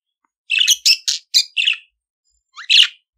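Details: Budgerigar song, for teaching a pet budgerigar to sing: a run of five short, harsh chirpy notes, then a pause and a final burst of scratchy chatter, all high-pitched and clean without other sounds.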